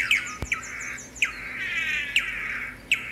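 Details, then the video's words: Tangará, the swallow-tailed manakin, with sharp clipped notes at roughly one-second intervals laid over a sustained buzzy, slightly wavering tone; a single click is heard early on. "Canto do pássaro "tangará""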